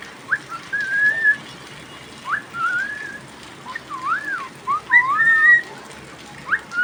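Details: Pet cockatiel singing during rain: a run of clear whistled notes around mid pitch, some rising, some looping up and down, in short phrases with gaps, over a steady soft hiss of rain.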